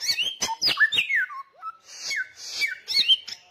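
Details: Loud, insistent samyong song with rapid sharp chips, twisting whistles dropping in pitch and buzzy high phrases after a short gap.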